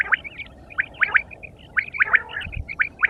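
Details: Quail repeating short, sharp rising chirps in pairs, about one call per second, with faint background chatter and a brief low thump.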